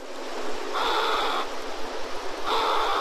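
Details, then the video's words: A snowy egret (Egretta thula) gives two harsh, raspy, drawn-out squawks, each under a second and about two seconds apart, over a steady rush of water or wind. "Canto de la Garceta Nívea"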